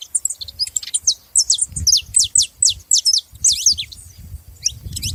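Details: A group of saffron finches making noise: dense series of loud, high, sharply slurred chirps in quick succession, with faint low background rumble.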